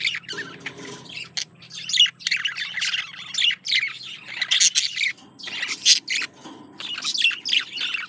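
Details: Male budgerigar courting a female: continuous chattering warble of buzzy chirps and scratchy squawks, rapid and irregular, with a faint low hum underneath.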